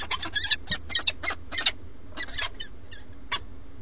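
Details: Peregrine falcon pair at a nest in Alcalá de Henares, Madrid, Spain, captured by a live webcam during a nest changeover. Harsh, rasping broadband calls come in quick irregular bursts over a steady low hum.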